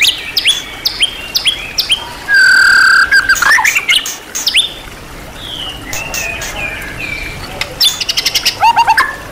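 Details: Richly varied song of a champion-class white-rumped shama meant for training other songbirds: short whistled phrases, a loud sustained pure whistle, softer warbling notes, then a rapid series of sharp clicks and chirps.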